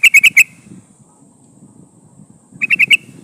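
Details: Female sooty-headed bulbul calling for a male, used as a lure for catching wild bulbuls: two short bursts of four quick, bright chattering notes, with a quiet pause between them.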